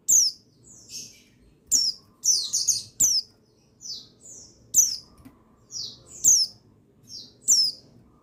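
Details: Male buxtoni white-eye calling to set other white-eyes singing: steady series of high, sharp, falling chirps and brief twittered clusters, repeated about every half second to second, over a quiet background.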